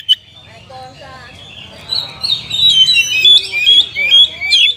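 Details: Oriental magpie-robin song with a rich fill, used to stimulate sluggish magpie-robins to sing: a quiet, murky opening gives way to a continuous twittering, warbled stream with high sharp whistles and slurs toward the end.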